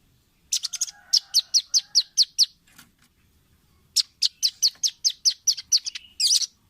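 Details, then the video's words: Velvet-fronted nuthatch, a clear tutor recording made for caged birds to imitate: two bursts of sharp, high, evenly spaced chips, about seven notes each at roughly four per second, split by a short silent gap. "Masteran Ampuh burung rambatan paruh merah/masteran audio rambatan jernih mudah di tiru"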